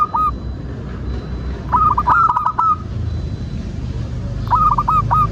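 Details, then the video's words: Local zebra dove, singing keenly, in a lure recording to get other doves calling: three bursts of rapid, rolling cooing notes with a higher drawn-out note in each, the middle phrase longest, over a low hum. "Perkutut loka gacor pancingan agar burung perkutut BUNYI dan GACOR"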